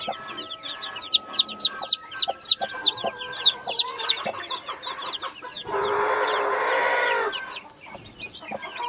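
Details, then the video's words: Naked Neck mother hen with Brahma, Australorp and Sussex baby chicks: rapid high descending peeps from the chicks, many overlapping, then a loud broad, harsh hen call lasting over a second, followed by more peeping. "naked neck mother hen with brahma ,australorps,sussex baby chicks - κλωσσα"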